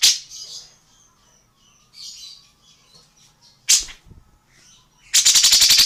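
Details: A tengkek buto or cucak jenggot, an Indonesian songbird used as a training model for other singing birds: scattered soft high chirps, one sharp explosive note, then a loud harsh rattle of rapid buzzy pulses at the end.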